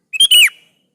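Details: Sooty-headed bulbul (kutilang), a lively singing bird used as a lure to make other bulbuls answer: one short bright whistled phrase, a clipped note then a ringing, downward-curving slur, no other sounds.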